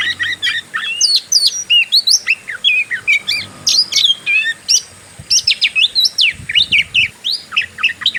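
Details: Provoking fighter-style song of an Oriental magpie-robin: rapid bursts of bright whistles and sharp chips, phrases of about half a second packed closely together, with one short gap before another busy run.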